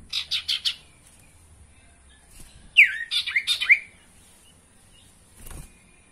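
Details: Sirtu sounds meant to coax caged birds into song: a quick run of four buzzy notes, then a cluster of sharp, descending chirps in rapid succession, and a faint thump near the end.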